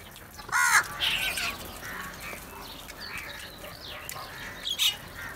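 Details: Crows gathering together for food, giving a loud harsh caw near the start with fainter overlapping calls and a second sharp call near the end, over steady background noise.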